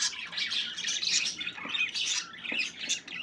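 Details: Budgerigars at play give a continuous, busy stream of squawky chirps and warbling trills from several birds at once, with a few sharper clicks mixed in.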